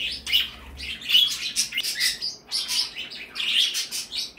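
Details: Several pet birds in an indoor bird room chattering together: rapid high tweets and harsh chirps in clustered bursts roughly every second, with brief dips between the louder outbursts.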